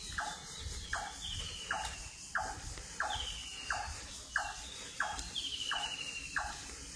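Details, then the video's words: At daybreak in thick fog, a bird repeats sharp falling notes roughly every six tenths of a second in a steady series, while longer thin whistles sound higher up and crickets keep up a continuous hiss. "ভোরের ডাক | পাখির কলকাকলি"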